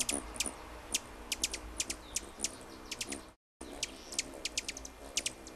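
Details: Hummingbird song noted as noisy and territorial: crisp, piercing high ticks repeated about every quarter to half second, spaced unevenly, with a short silent gap midway.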